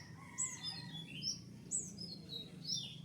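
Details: Male Javan white-eye, freshly trapped and in the taming process, learning sounds: sharp high-pitched chirps and short descending whistled notes in loose bursts, with a low rumbling background noise.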